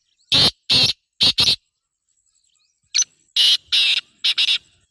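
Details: Calling female black francolin, a sound meant to draw a male: two matching phrases of four loud, grating, buzzy bursts each, separated by over a second of silence, the second phrase slightly uneven in rhythm.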